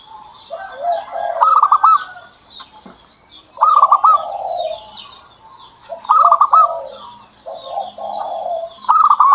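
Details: Zebra dove kept by its owner, singing: four repeated phrases about two and a half seconds apart, each a rapid stuttered trill of cooing notes falling into a lower, rolling coo, with faint twittering birds behind.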